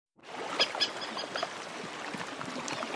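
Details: Several Antarctic terns calling in flight at mid-distance give harsh, grating calls in quick bursts, over the steady wash of sea lapping on the shore in the foreground.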